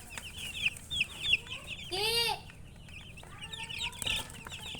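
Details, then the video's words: Baby chickens peeping: many short, high, downward-slurred chirps overlap throughout, with a louder, harmonic squawk in the middle and a lower, drawn-out harmonic call later on. "MURGI Baby "Chicks Chirping" Sound"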